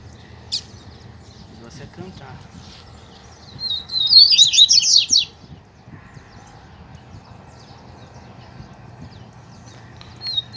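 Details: Double-collared seedeater song during a singing contest between captive males and a loose wild male: one rapid, buzzy phrase of high trilled notes, surrounded by people talking and soft background noise.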